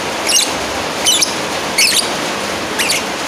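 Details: Calling a rival, a lovebird gives four piercing, rasping shrieks at uneven intervals of about a second, each a brief stuttering burst, over a continuous faint hiss.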